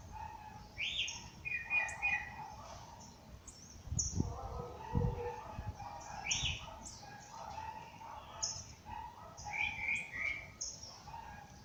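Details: Dawn bird chorus outdoors: mixed whistled phrases and warbles from several birds, thin high chips throughout, plus two deeper, louder bursts around the middle that may come from a fowl, over soft background noise.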